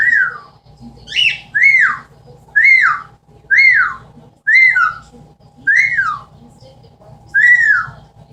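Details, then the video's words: Captive pet Amazon parrot copying sounds: a run of seven clear downward-sliding whistles, roughly one per second, each with a brief rising lead-in. A low steady indoor hum sits underneath. "The many sounds of an amazon parrot."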